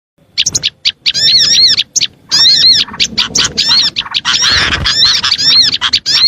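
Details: Oriental white-eye lure sound for drawing in small birds: rapid bursts of high, thin chirps and arched whistled notes in quick chains, broken by short pauses, with a faint low rumble beneath.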